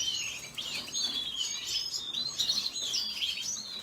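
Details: Lively high twittering by a red siskin, sweeping slurred notes and quick chirps in a busy, unbroken phrase.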